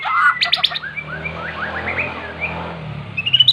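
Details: Magpie-robin in a cage, brought into song by recorded magpie-robin song: a sharp burst of stacked chattering notes, then a soft series of short rising slurs, ending in bright high whistles over low hum.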